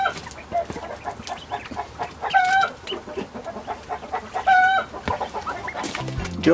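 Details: Hen clucking in the background of a quail coop, making the quails fall silent and listen: low drawn-out clucks with two longer nasal calls, over steady rustling farmyard noise and a clatter near the end.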